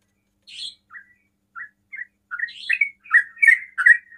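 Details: Sooty-headed bulbul giving fast 'ropel' style song meant to provoke other bulbuls into answering; scattered short chirps at first, then building into a rapid run of clear, slightly buzzy whistled notes, several per second.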